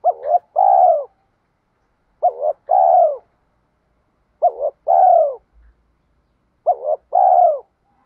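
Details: Spotted dove cooing for training newly caught and decoy birds, 'giọng thổ' style with urging challenge calls. A short hooked note and a longer arched coo form a phrase, repeated four times about every two and a quarter seconds. The background is quiet.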